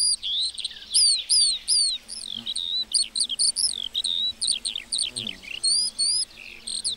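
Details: Lark singing in a meadow, delivering loud, quick high whistles and chirps in a continuous, tumbling run, with faint low background hum.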